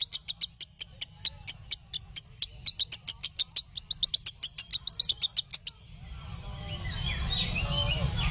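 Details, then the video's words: Lovebird singing as training audio for other lovebirds: steady rapid high chips, speeding into a denser burst, then broken off by a rising rush of noise. "Masteran Ampuh Burung Love Bird"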